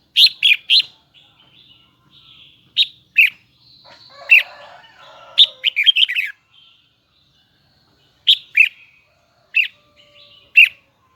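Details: Red-whiskered bulbul of the Huế style repeats short bursts of bright, high, doubled notes every second or two over about eleven seconds. A longer twisting phrase and a brief harsh grating sound come midway.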